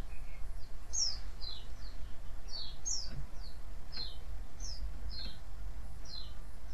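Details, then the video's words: White-eye calls intended to provoke other white-eyes into responding: a steady stream of short, high, falling chirps, about three per second at times, above a persistent low rumble. "cuitan dan crecetan pleci ini ampuh memancing pleci lain nyaut"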